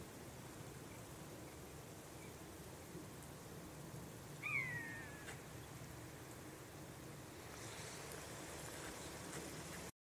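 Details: A single short, nasal Brent goose call, bending up then down, stands out once against steady background noise like wind or surf; a small, dark coastal goose of the UK, travelling in loose flocks.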